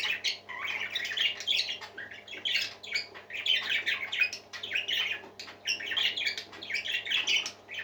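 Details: Group of pet parakeets singing: rhythmic waves of harsh squawks and chirps roughly every second, dense and lively, above a low steady hum.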